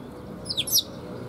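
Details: A sparrow coming to be fed at a Tenmangu shrine, 30 October 2021, gives one short, high, downslurred chirping phrase of two quick notes amid a quiet low background.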